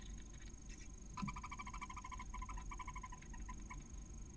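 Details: Female barn owl inside a nest in Cabañeros National Park, Castilla-La Mancha, Spain, calling in the morning to her first chick as it hatches after 31 days of incubation. Rapid runs of short, harmonic chirping pulses, with low thuds of movement beneath.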